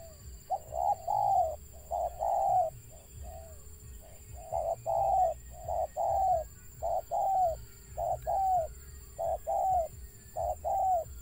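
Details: Stuttering call of a wild Spotted dove: an irregular run of mellow hooting coos, short notes alternating with longer slightly falling ones, about a dozen over eleven seconds, above a low rumble and a constant high tone.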